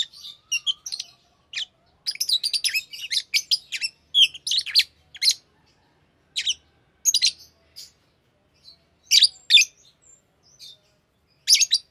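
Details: Pet Fischer's lovebirds, a green pair, chattering continuously with rapid, scratchy high chirps in dense runs, then spaced single bursts toward the end.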